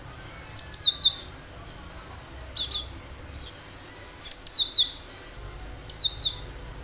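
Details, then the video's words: Wild-caught cinereous tit singing lustily, used to attract other birds, repeating short phrases of high, sharp, descending whistles about every one to two seconds, with a faint low hum beneath. "Gelatik batu gacor suara asli liaran"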